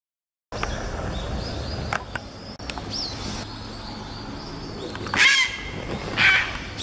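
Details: Grey heron filmed on the morning of 7 November 2016, giving two harsh, rasping croaks about a second apart near the end, over a steady low rumble with thin high calls from a brown-eared bulbul.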